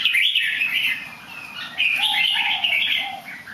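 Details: A bird singing well despite some somersaults: a continuous warbled phrase of fluid whistles, followed by a softer, lower answering note underneath, with low background hum.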